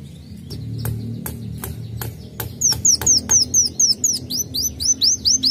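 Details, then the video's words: A sunbird (kolibri wulung) lure recording: a run of sharp ticks, then a quick string of thin, very high chirps, each sweeping up then down, about two per second, over a low hum. "pancingan Kolibri Wulung isian"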